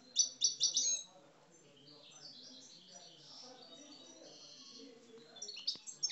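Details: Aggressive song from caged Algerian parva European goldfinches: an opening run of loud repeated buzzy chirps, then softer continuous twittering, ending in another burst of sharp high notes.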